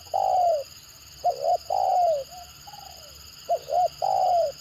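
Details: Spotted dove giving the stuttering 'gagap' coo style used for luring: low hollow coos, some broken into quick double notes, others long falling phrases, repeated several times over a steady electronic hum.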